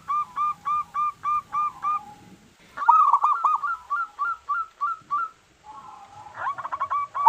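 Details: Zebra dove, a local bird, cooing as a lure to prompt other doves to sing: quick rhythmic series of short hooked coos, about three per second, broken by a low purring stretch, then more rapid, stuttering coos.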